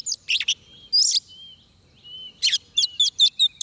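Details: Oriental magpie-robin recorded at a trap, fighting-song style: noisy chattering bursts separated by soft level whistles, ending in a run of five evenly spaced sharp chirps.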